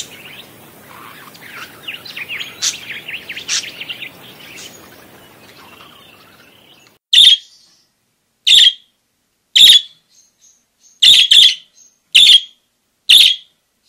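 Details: Parakeet calling: a soft, quiet high warble for the first six seconds, then silence broken by seven loud, sharp, clipped chirps arriving every one to one and a half seconds.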